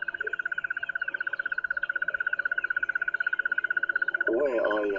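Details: A hidden Crested Barbet calls from metres away during a morning safari drive: a long, even, mid-pitched trill of rapid pulses, like a ringing alarm clock, before a man's voice cuts in at the end.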